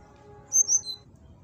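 Brown-chested jungle flycatcher giving a quick phrase of two bright, high whistled notes that drop to a lower third note, over a faint steady hum.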